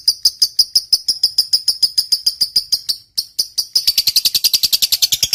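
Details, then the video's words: Lovebird fighter ngekek, used to trigger song in silent lovebirds: sharp high chirps repeated several times a second, a brief break, then a denser, louder rapid buzzy chatter. "Suara Burung Lovebird Ngekek Panjang"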